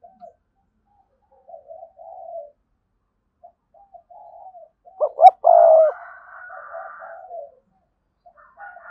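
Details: Spotted dove decoy with a lively, strong voice. Scattered soft low coos and pauses lead into one loud phrase: two rapid rising notes and a long steady croon, followed by quieter coos and a faint higher tone.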